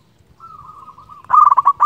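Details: Local zebra dove used to lure rivals: a soft, level run of purring coos builds into a sudden loud, stuttering burst of bubbling notes.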